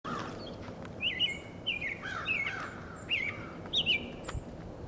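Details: American robin interacting with another robin, possibly flirting: a series of short, clear, wavering whistled notes, about five across the stretch, each with a quick up-and-down inflection, over faint background noise and a few distant high chirps.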